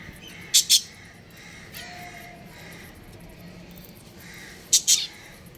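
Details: Budgerigars from a breeding pair kept as pets give two loud, harsh double chirps, one early and one near the end, with soft faint twitters and a low hum between.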